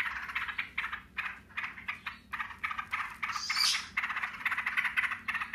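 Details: Yellow-vented bulbuls answering each other in the rattling "ngebren" style: repeated buzzy, pulsed chattering bursts with a high squeaky note in the middle.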